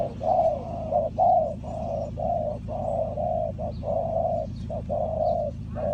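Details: Spotted dove calling to lure wild doves toward a trap. Mellow coos run almost continuously, with short and drawn-out notes alternating in quick succession over a low steady hum.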